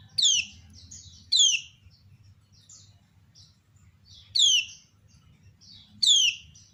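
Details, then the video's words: Lemon-bellied white-eye female, known locally as kecial kuning, calling to provoke answers from other kecial: two pairs of strong, steeply descending chirps separated by a pause, with faint high tweets filling the gaps. "Ciak Betina Burung Kecial Kuning Memancing Bunyi Banyak Kecial lain Nyaut"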